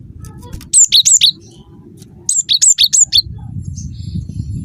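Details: Cinereous tit (gelatik batu) lure call to provoke answers from other tits; two phrases of about five loud, bright, downslurred double notes each, quick and evenly paced, above a low rumbling background.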